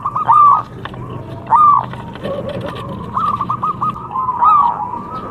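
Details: Local contest zebra dove recorded to encourage other birds to sing, with a few sparse arched coos and softer wavering notes over a murmuring background.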